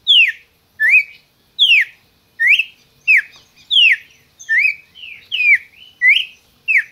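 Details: Caged red-crested cardinal from a licensed Brazilian breeder, singing clean whistled notes that alternate between falling and rising slurs, evenly spaced at under a second apart, in a quiet setting.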